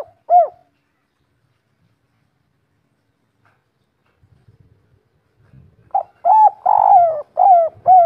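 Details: Local wild spotted dove giving the kuk-3 style call: one mellow low coo, a long pause with faint rustling, then a close series of soft, rounded, repeated coos.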